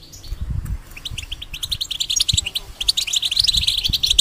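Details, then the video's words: Caged European goldfinch singing, used as a tutor song for young hybrids: quick twittering notes and sharp high chips that start sparse and grow denser, with low thumps and handling noise beneath. "The Talk And Sounds Of The Goldfinch Make Your Bird Go Crazy"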